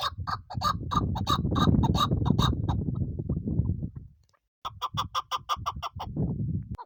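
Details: Female chukar partridge, a hunting bird, repeats clucking chuk notes over a low rumble, falls silent briefly, then resumes with a crisp, evenly spaced series of about three notes per second.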